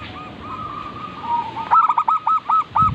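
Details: Local zebra dove (perkutut) singing. A faint soft trill leads in, then loud rounded cooing notes repeat in a fast, even series, roughly five notes over a second, on a steady mid pitch.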